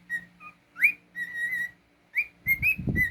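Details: Cockatiel kept as a pet whistling a phrase of steady tones and rising slurs, a sustained note, then more whistles as a person's voice comes in at the end.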